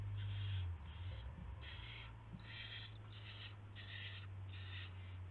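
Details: Owl at the nest with a gopher as prey, 1:00 AM on 24 March 2016; rapid, evenly spaced rasping hisses, roughly seven in five seconds, over a constant low hum.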